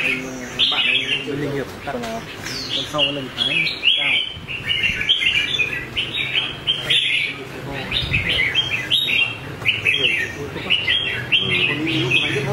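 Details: Red-whiskered bulbul in competition song during voice training: sharp, chirpy high phrases in short bursts with upward sweeps, backed by music and occasional low knocks.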